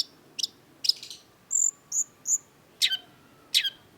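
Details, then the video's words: Long-tailed shrike (cendet) mixes scratchy bursts with three pure, piercing high whistles in quick succession, ending in two harsh downward chips. "cendet gacor MASTERAN CENDET BANYAK DICARI PECINTA BURUNG || Long-tailed Shrike"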